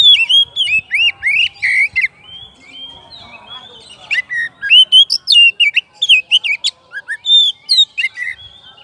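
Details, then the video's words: Oriental magpie-robin, a kacer singing loudly toward a rival: varied whistled phrases, rising and falling slurs and sharp chirps, delivered in rapid bursts with a short pause near the middle. "KACER GACOR MANGGIL LAWANNYA BIKIN NYAUT DAN NGEPLONG"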